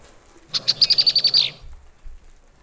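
A female Red-winged Blackbird gives a rapid, high chatter of about nine sharp notes in one second, trailing off slightly at the end.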